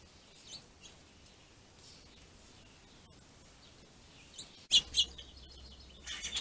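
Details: Territorial finches fighting over a food supply: mostly quiet background with faint notes, then a sudden burst of sharp, high chirps, and more chirping at the close.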